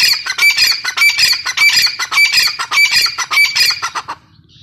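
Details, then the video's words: Female grey francolin, Irani teetar: loud, raspy calls with a clear ringing tone, repeated about 100 times per minute in a steady series that ends abruptly after four seconds. "Teetar voice | dakhni teetar awaz | irani female teetar ki awaz | gray francolin teetar sound"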